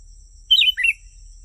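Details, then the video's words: Sooty-headed bulbul sound used to attract wild birds of its kind: one short, clear, two-part phrase, a slurred falling whistle then a lower rising note, within quiet surroundings. "Suara burung kutilang 💯💯% asli.. burung kutilang liar pasti mendekat.."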